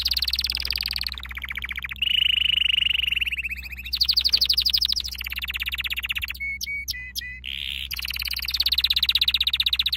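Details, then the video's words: Canary training song made of fast rolling trills that switch pitch every second or two, including a steady whistled trill and a few clear repeated notes, over a constant low hum. "Your canary will NEVER STOP SINGING With this training song"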